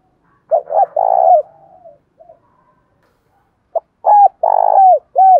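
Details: Spotted dove in the Đồng Thổ voice style, giving a calling coo with hurried and soft cooing parts, used as a lure for wild doves: low, mellow, hollow coos in short clustered phrases, with a pause between two groups.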